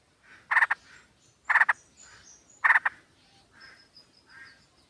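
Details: Sooty-headed bulbul, a female calling a male, used as a lure: three loud, harsh, triple-pulsed bursts about a second apart, with fainter, softer chattering between them.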